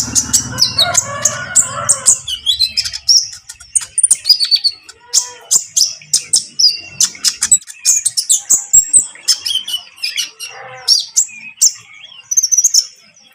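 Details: Konin lovebird chattering in trotol style to make a rival bird join in: a long run of rapid, piercing high chirps and squeaks, with a low hum and some mid-pitched notes during the opening two seconds.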